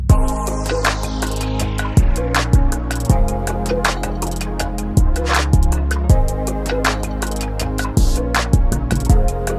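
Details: Loud drum-driven music with a steady beat, sharp percussive hits and a descending synth sweep, with no animal sounds.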